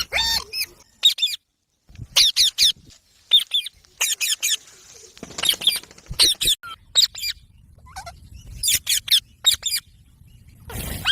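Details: Parrot making short, scattered screechy calls and upswept chirps in clusters of two or three, spaced by brief silences over several seconds.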